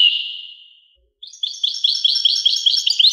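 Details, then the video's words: European goldfinch song: a long descending buzzy note, a brief pause, then a bright tinkling twitter of rapid repeated notes. "song Carduelis carduelis pure and Nice-Birds The song"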